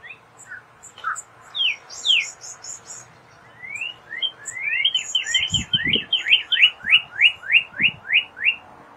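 A Northern Cardinal sings loud, clear slurred whistles, building into a quick run of about a dozen rising notes, with faint high chips from other birds and a few low thumps.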